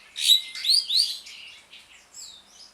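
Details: Asian pied starling song in ngriwik style, played to coax a starling that has stopped singing: a few loud squeaky upslurred whistles over a thin steady tone, then softer fading chatter.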